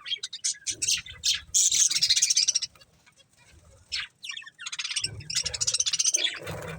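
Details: Budgerigars eating corn: bursts of dense, scratchy high chattering and chirps, broken by short pauses, with soft rustling and low thumps underneath.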